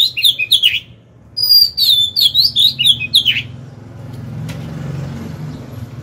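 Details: Oriental magpie-robin used as a decoy, singing to entice rival birds to fight; quick bright whistled phrases and chirps for about three seconds, then a quiet stretch with low traffic-like rumble.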